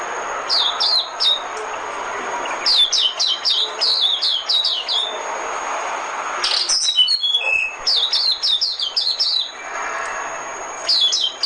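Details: Decoy song of an Oriental white-eye, used for bird trapping: bursts of rapid, high, thin chirps sliding downward, grouped in twittering phrases separated by short gaps, with a brief run of lower, tumbling notes near the middle.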